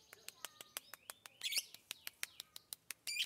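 A lovebird's rapid chatter: sharp clicking ticks about six a second under thin, squeaky whistled chirps, broken by two brief harsh, buzzy bursts.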